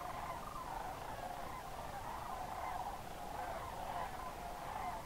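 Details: Sandhill Cranes on autumn migration in October at Crex Meadows State Wildlife Area, a sedge wetland in Northwest Wisconsin, evening or early morning; a dense, continuous chorus of rolling, bugling calls from many distant birds over a steady background hiss.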